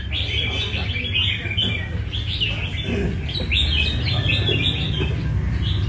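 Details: Red-whiskered bulbul from Nam Đông in a light practice session at a café in Đà Nẵng, Vietnam, singing quick warbled, bubbly phrases in short bursts over steady low background rumble.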